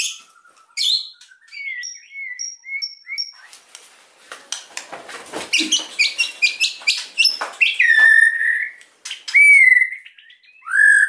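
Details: White-rumped shama singing to provoke quiet birds: short high ticks repeated about every half second, then a dense, varied stretch of sharp clicks and chips, ending in clear slurred whistles.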